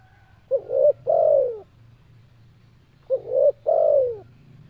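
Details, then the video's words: Two mellow coo phrases from a spotted dove, described as very vocal, spaced under three seconds apart. Each holds a clipped first note, a swelling rising coo and a long descending coo, against a steady low hum. "Suara Burung Tekukur Super Gacor"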